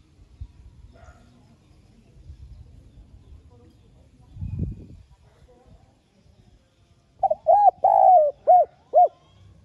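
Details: Spotted dove lure cooing in a light urging voice to provoke doves into calling; low rustling and a dull thump first, then one phrase of mellow coos with a long falling middle note near the end.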